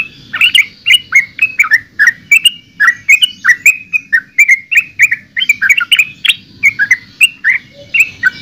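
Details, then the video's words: Yellow-vented bulbul singing a steady string of short, liquid, slightly bubbling notes, around three per second, each dipping or rising, with a faint hum underneath. "Suara Burung Trucukan"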